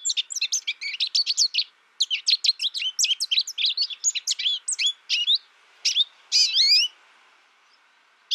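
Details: American goldfinch twitters quickly in high, scratchy notes, stops briefly at two seconds, resumes, then ends with a longer rising whistled phrase before a near-silent gap.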